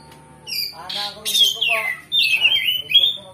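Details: Oriental magpie-robin singing its repertoire as fighting bait to rile another magpie-robin. Harsh scratchy squawks open the phrase, followed by loud descending and wavering whistles.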